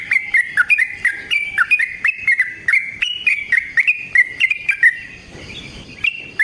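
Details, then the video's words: Yellow-vented bulbul delivering a long fighting song used as a lure so other bulbuls reply; fast chain of chattering, slurred whistles, ending in quieter notes. "Burung TRUCUKAN GACOR Ropel Panjang Cocok untuk PANCINGAN Trucuk bahan dan MASTERAN Burung Trucukan"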